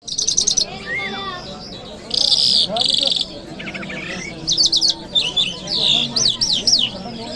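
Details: Lark singing in Kabul city on a Friday morning: bursts of high buzzy trills alternate with sweeping, rising and falling whistled notes and rapid chirped phrases, with brief pauses between phrases.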